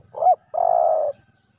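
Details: Male spotted dove at a ground decoy setup, fighting fiercely with a rival. A short rising note is followed by a longer, steady, low hollow coo, with faint low rumble beneath.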